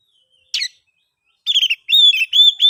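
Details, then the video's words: Oriental magpie-robin song played to get quiet birds singing: a single sharp chirp, a pause, then a quick run of warbled notes and clear rising whistles. "KICAUAN ASLI KACER NGEPLONG, paling ampuh di jadikan pancingan kacer macet & bisu jadi GACOR"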